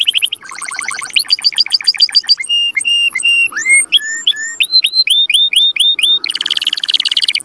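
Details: Canary singing to prompt mating: a run of changing tours, from fast trills to flat whistled notes, sweeping upslurs repeated quickly, ending in a dense buzzy roll.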